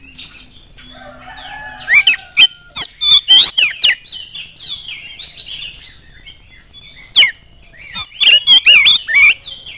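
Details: Lure song of an oriental magpie-robin, used to get other birds singing: a quiet faint start, then quick sequences of sharp upslurred whistles and chattering notes, a brief lull, and another rapid burst of varied whistles.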